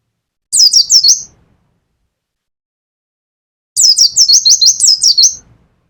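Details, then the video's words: Caged mountain white-eye from Pacitan, Indonesia, singing in the rapid nembak style: two bursts of high, sharp chirps, a short one and then a longer string of about ten quick downslurred notes after a pause of about three seconds. "pleci pacitan nembak nembak pleci dakun"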